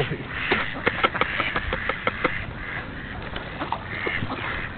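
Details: Ducks gathered in a big flock at feeding time, giving rapid, irregular nasal quacks over a steady background murmur of many birds.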